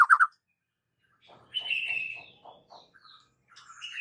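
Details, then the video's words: Agitated white-rumped shama in fighting song: a quick triple chip, a pause, then a buzzy drawn-out high note over soft low pulses, short whistles and a rising whistled phrase. "jadikan Murai Batu siap TARUNG dengan MASTERAN Murai Batu GACOR NGAMUK satu ini"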